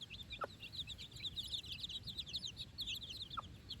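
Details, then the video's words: Four-day-old chickens out on fresh grass for the first time with their mother; many high, short peeps overlap in a busy, continuous chatter, with two brief clicking taps near the start and end. "Chicks Chirping Sounds - Baby Chicken Sounds"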